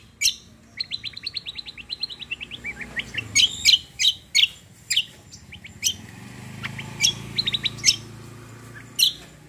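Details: Cucak delivering a rolling combo song: a fast trill of short whistled notes gliding downward, then loud sharp chirps and quick staccato phrases over steady low background noise.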